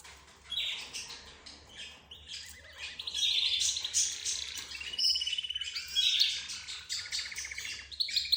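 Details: Cage birds of several kinds, including budgerigar, zebra finch and canary, sounding as if talking to each other: quiet start, then continuous high twittering, buzzy trills and piercing whistles, with a rattling trill near the close.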